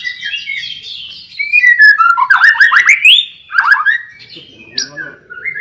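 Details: White-rumped shama lure song: a descending series of whistles, then a loud burst of rapid rich warbled notes, a short pause, more quick notes and a couple of clear whistles.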